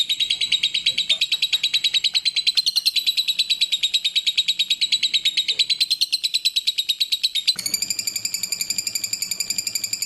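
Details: Clear lovebird song with pauses, recorded as a tutor track for training birds: a long, fast train of high, rasping chirps, then after about seven seconds a shift to a steadier, ringing, more tonal pulsed chatter.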